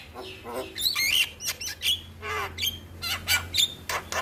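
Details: Starling in the morning, played to get birds singing: a steady stream of short harsh calls and twisting whistled notes, each lasting a fraction of a second, with a low hum behind.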